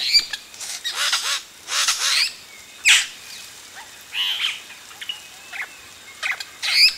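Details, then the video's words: Yellow-rumped cacique chicks begging loudly at close range while adults arrive at the nest: repeated harsh, grating squawks in bursts, some doubled, spaced irregularly across several seconds. "Yellow-Rumped Cacique. CU Calls From Chicks As Adults Arrive At Nest."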